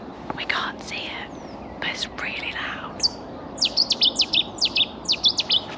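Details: Cetti's Warbler in reeds at RSPB Otmoor, Oxfordshire, on an early morning just after sunrise, bursting out with its explosive call: about nine loud, sharp, high notes in a quick two-second volley, with a person speaking softly just before.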